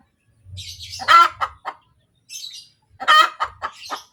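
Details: ['Laying hen cackles after her egg, a drawn-out harsh squawk followed by quick descending clucks, repeated twice, with softer raspy notes before each burst.']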